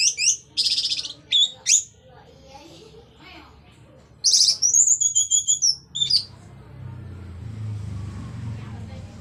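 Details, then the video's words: Orange-headed thrush in full song in the ngeplong style, meant to trigger silent thrushes to sing: loud bursts of high whistled and buzzy phrases with a run of repeated clear notes, over a low background hum. "Pancingan Burung Anis merah Agar Cpt Ngeplong Gacor bunyi"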